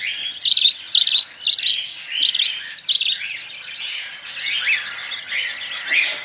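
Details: Hand-reared budgerigar chicks, fed baby formula by syringe, beg with loud, harsh, high chirps in short clustered bursts, softening into quieter rasping toward the end.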